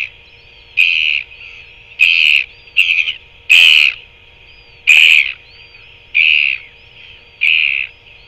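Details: Two male royal albatrosses interacting in New Zealand on 5 January 2024; a series of harsh, blaring bursts comes roughly every second, a few with sharper clattering edges, over a steady background hiss.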